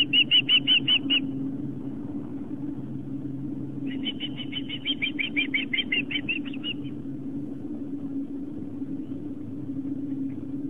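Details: Osprey at a Long Island, New York nest cam, 4:55 pm on September 11, 2007, as fish arrives at the nest; two bursts of quick piercing whistled chirps separated by a pause, then only a low steady hum.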